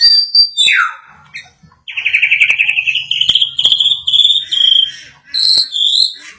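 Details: White-rumped shama growing agitated after hearing a played sound: short high whistles, then a long buzzy trilled phrase that climbs slowly, followed by sharp clipped whistled notes.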